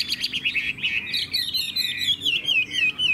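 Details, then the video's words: Chinese hwamei kept in a cage, pouring out rapid repeated whistled notes that slide into rolling, undulating phrases, about two notes a second, loud and continuous. "Họa mi hót hét tốt - Giọng hay"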